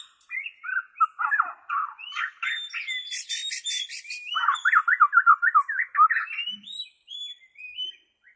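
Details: White-rumped shama, Borneo type, singing in its natural voice as a model for caged shamas: varied whistles and harsh chatter, then a fast zigzag trill of rapidly repeated notes, ending in softer whistles.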